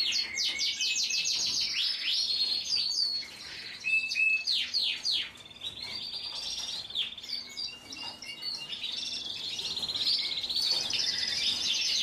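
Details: Belgian Frill canary song: rapid rolling trills and descending sweeps give way to buzzy twittering passages and sustained bright whistles, delivered continuously without pause.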